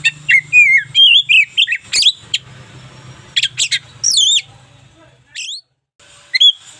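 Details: Local white-rumped shama giving looping whistles and sharp high sweeps in spaced phrases, with a low background hum throughout.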